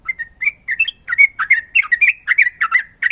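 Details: Energetic ropel-style song of a trucukan, the Sooty-headed bulbul: a fast run of bubbling, warbled notes with quick pitch jumps, delivered almost without pause.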